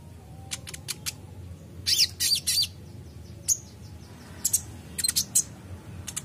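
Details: Kolibri ninja sunbird singing: thin high ticks, a run of harsh buzzy bursts, a faint descending series of thin notes, then more scattered sharp chirps.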